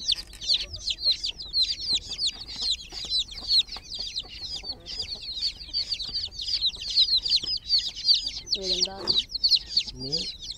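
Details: Chirping from a group of groggy chicks in a water pool: an unbroken stream of high, thin peeps, nearly three a second, with a short burst of speech near the end.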